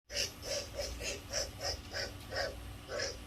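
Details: Vultures making an odd noise: a rhythmic run of breathy, wheezing hisses, roughly three per second, each with bright overtones, against a steady low hum.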